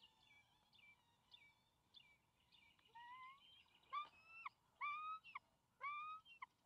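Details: Two juvenile bald eagles near and at their nest on May 28, 2020, as the father delivers a fish and they scramble for it. Short thin whined notes at first, then louder, rising, harmonic whining calls about once a second from the midpoint.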